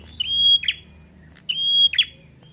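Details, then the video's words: A bar-winged prinia in full, long-drawn song, used to stimulate other prinias, gives two phrases about a second apart, each a long, level, high whistle ending in a quick, buzzy, down-and-up flourish. "Suara prenjak Gacor ngalun"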